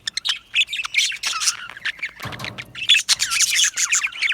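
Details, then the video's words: Yellow male budgies chirping in an aviary: rapid bright chirps and warbled notes from several birds, briefly broken by a low rustling noise before the chatter resumes. "Beautiful Yellow Male Budgies Birds Chirping sounds"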